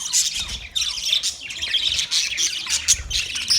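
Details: Budgerigars chirping and chattering continuously, a dense mix of high scratchy squawks and quick twittering notes from several birds at once, with no pauses and faint low rumble beneath.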